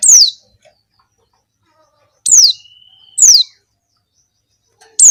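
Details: Calling female Javan white-eye used as a lure for males; bright, piercing downward-sliding chirps in quick pairs and singles, with a thin steady tone heard between two of them.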